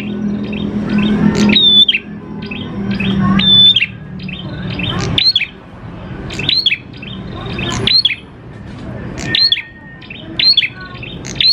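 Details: Vigorous prinia song used to lure prinias into singing: sharp, high, down-slurred chirps and short whistles repeating over about twelve seconds, louder in spaced bursts, with low background rumble.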